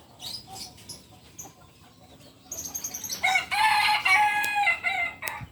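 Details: Kukuak Balenggek rooster, purebred biriang kuniang bird from Solok, West Sumatra; faint high chirps lead into a long crow of pulsing syllables that swells and holds loud for about two seconds before cutting off.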